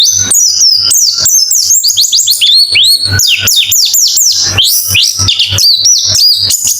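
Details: White-eye song used as fast therapy to get a reluctant bird singing, contest simulation: rapid, dense high twittering of sharp downslurred and upswept chirps, almost continuous, with faint low thumps.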